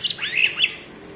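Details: Cucak ijo from Alas Purwo, Banyuwangi, giving its bebeci song, prized by songbird fans: a brief burst of high whistled, slurred notes that rise and fall.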